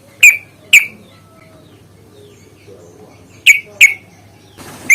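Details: Yellow-vented bulbul used as a fighting lure to provoke other bulbuls into singing: four loud, sharp downslurred notes in two pairs with a long pause between, over a quiet background.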